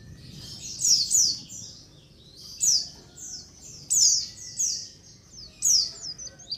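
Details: White-eyes in a colony, recorded as a lure: separate bursts of high, descending chirping trills about every one to one and a half seconds, with quiet gaps between.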